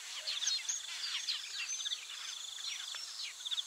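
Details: Taveta golden weavers chattering energetically, with quick sputtering chirps, short down-sweeping whistles and buzzy trills tumbling over one another. A continuous high insect whine sounds behind them.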